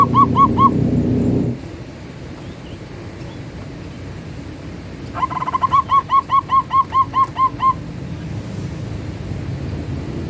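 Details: Zebra dove (perkutut) performing manggung song: a few cooing notes open over loud low rumble, then after a lull a regular series of about ten soft, rounded, rolling coos follows.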